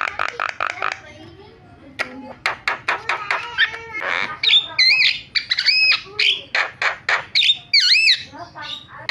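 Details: Starling lure recording meant to set other starlings calling: quick dry clicking notes lead into harsh chatter and loud looping whistled slurs, delivered in an uneven rapid stream.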